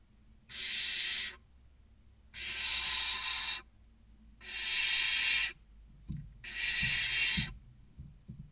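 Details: Six barn owl chicks waiting for dinner in a nest box near Casa Palillos, Spain, give four evenly spaced, long rasping hisses about every two seconds, followed by a few knocks.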